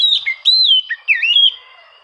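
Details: Short burst of Oriental magpie-robin rival-seeking song used to provoke reluctant birds: clear bright whistled slurs, one long falling whistle and a dipping looped note, ending in a fading thin tone.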